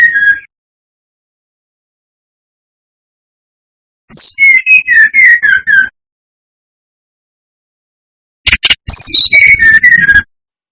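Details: Brown-chested jungle flycatcher song played as a lure to provoke rivals: separate bursts of fast whistled notes, each phrase stepping down in pitch, with long silent gaps between bursts.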